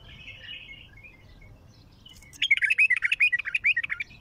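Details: Heavy-throated bulbul in raw song: a soft, scratchy twitter at first, then a strong, rapid string of rich, gurgling whistled notes, each sharply separated, lasting nearly two seconds.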